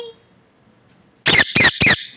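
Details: A snow-white zebra finch gives three loud, nasal, falling calls in quick succession.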